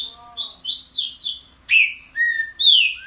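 A green-winged saltator sings an unusual song of clear, high slurred whistles in four quick bursts, each note sliding up or down. A faint low hum sits beneath.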